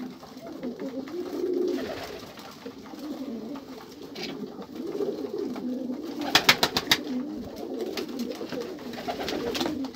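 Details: Several pigeons give overlapping low, bubbling coos in a steady murmur, broken midway by a quick series of loud clicks or taps.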